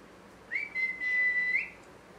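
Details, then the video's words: Parrot whistle: a single clear, sustained note held for about a second, with a brief rising flick at the start and an upward lift at the end, in a quiet setting. "Parrot Chirping Sounds"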